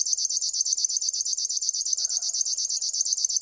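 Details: Insect-like rhythmic song of a River warbler: sharp, high, sewing-machine pulses repeating roughly eleven times each second without pause; a faint lower murmur appears midway.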